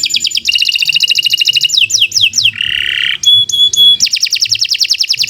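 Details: Extended canary song for training other birds: rapid rolling trill, several falling whistles, a harsh nasal buzz, clear high piping notes, then another fast rhythmic trill.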